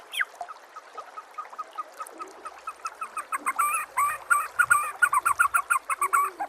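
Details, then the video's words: White-rumped shama master song to stimulate other shamas: soft scattered notes building into a louder rhythmic stream of repeated chirps over background hiss. "MASTERAN MURAI BATU PALING DI CARI TAHUN INI || SUARA JERNIH ,BURUNG PASTI NYAUT DAN GACOR SEKETIKA"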